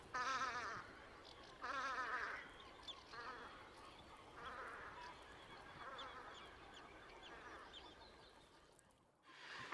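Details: Velvet scoters recorded at Liepāja, Latvia, March 2024: two loud nasal, quavering calls open the recording, followed by a string of fainter similar calls from farther birds amid a steady background hiss.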